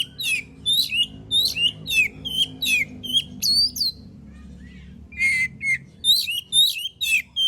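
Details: Kacer, the oriental magpie-robin, delivering continuous song meant to coax other birds into singing: steady repeated whistled, downslurred syllables about two per second, a brief pause, then more varied whistles.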